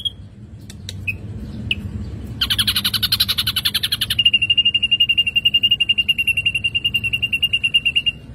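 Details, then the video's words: Energetic ashy drongo song on a lure track: scattered high chips, then a dense buzzy harsh burst, then a long even run of quick repeated high notes at a steady pitch, rattling on for several seconds. "Srigunting Abu Abu Gacor"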